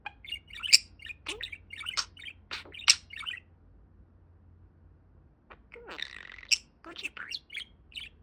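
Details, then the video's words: Pet talking budgerigar warbling indoors: a quick string of scratchy chirps and clicks, a pause of about two seconds, then a buzzy, grating burst followed by more short chirps. "Talking Parakeet"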